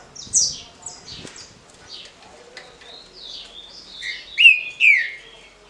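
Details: A Green-winged Saltator (trinca-ferro) from Paraná, of the short smooth-song type, gives a short, smooth phrase of clear, high, downslurred whistles, ending in two loud, ringing notes a half-second apart.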